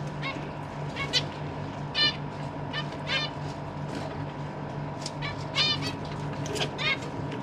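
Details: Captive zebra finches with parents feeding their grown fledglings; many short nasal harmonic calls from several birds, irregularly spaced, over a steady low hum.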